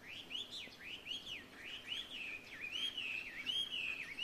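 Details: Chinese hwamei heard in Ito, Japan, on 12 February 2023, the first birdsong of the year: a distant string of looping, rising-and-falling clear whistles repeated in quick succession over steady background hiss.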